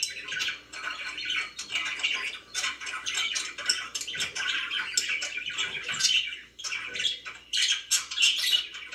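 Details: Chattering pet budgies fill a room with continuous warbled chirps and scratchy squawks, several birds overlapping, a short lull near the middle, then bright twittering resumes.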